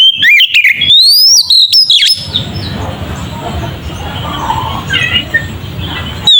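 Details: Oriental magpie-robin ngeplong song, meant as a lure to make magpie-robins aggressive; a two-second run of bright, slurred whistles and chips, then a long quieter stretch of faint background chatter.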